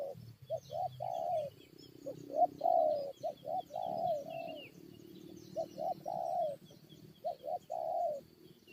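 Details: Spotted dove lured to fight wild forest birds, giving repeated mellow cooing phrases: quick short notes leading into drawn-out, gently falling coos, phrases following closely with overlapping calls. Faint high chirps and low murmur sit behind.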